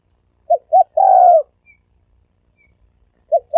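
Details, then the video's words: Lure cooing of a spotted dove, "thổ sấm đồng" style, to draw in cocks, hens and wild doves: one complete phrase of two short hoots and a long purring coo, then two short notes of the next phrase. "Tiếng chim cu gáy thổ sấm đồng gù gáy kích trống kích mái kích bổi"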